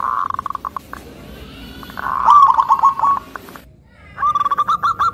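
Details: Local zebra dove with a thick, rhythmic voice, sung to provoke other zebra doves: bursts of rapid mid-pitched rolling coos broken by short pauses, ending in a quicker string of hooked notes.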